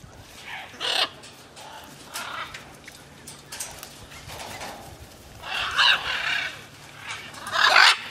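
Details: Free-flying macaws in flight give harsh, raspy squawks in loud bursts about every two seconds, the loudest near the end, over a low steady hum.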